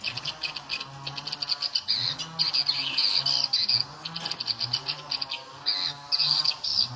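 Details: Edible-nest swiftlets responding to an attraction sound played at the nine o'clock volume position. Strident high twitters build into dense bursts, separated by brief quieter gaps, with a low drone throughout.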